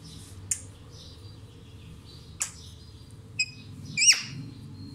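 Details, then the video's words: A parrot gives four short, harsh squawks spaced irregularly over five seconds, the last louder and more drawn-out, over a low indoor hum. "Parrot sound Mithu Mithu"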